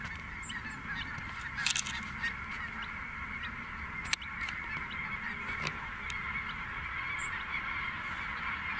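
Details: A large group of snow geese taking flight at Merced NWF produces a constant wall of overlapping honks, the rumble below fading, with a few loud clicks near the start and middle.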